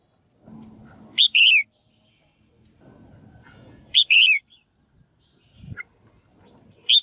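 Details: Female bird giving calls meant to spur males into singing: a loud two-syllable whistled phrase, sharp first note then a longer wavering second, repeated about every three seconds over soft low rumble.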